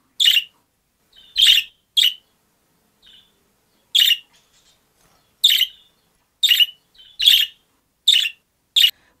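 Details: A caged budgerigar wanting to get out of the cage, pacing the perch left and right, gives harsh, scratchy high chirps in short bursts, about nine in nine seconds at uneven intervals, with a few softer chirps between.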